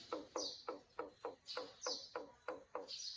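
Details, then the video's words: A common myna in the morning gives a steady run of harsh, chattering notes, about three a second, broken by higher, squeaky whistles roughly once a second. "Common Myna Bird makes great sound in the morning"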